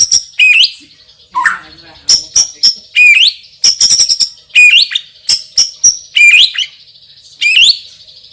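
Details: White-rumped shama, a loud-voiced champion with super spicy fill: repeated bright upward-curving whistles interleaved with quick dry clicks and rattles, in rhythmic bursts across the passage.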